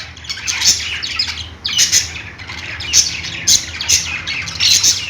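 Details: Parakeets chirp and squawk together, bursts of loud shrill notes arriving in quick clusters roughly every half second over a constant background of high twittering chatter.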